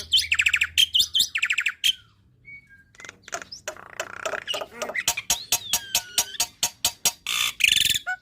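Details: Black-winged myna song for teaching young birds, packed with 'tembakan' fills: a burst of harsh rattling notes, a short pause, then a long series of sharp clicks and ticks with a gliding whistle mixed in.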